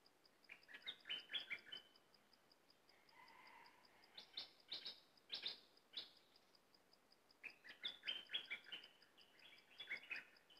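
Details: Cream-vented bulbul in full song: bursts of rapid chattering, slurred notes alternate with a short pause and a low hum, then another lively run of warbled chirps, over persistent faint regular ticking.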